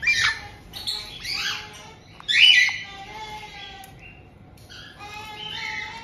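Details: White-bellied caiques kept indoors in Tokachi, Hokkaido, in June 2023, as the resident pair welcomes a young bird of about two months: scattered harsh squawks with one loud burst midway, then softer, buzzier calls.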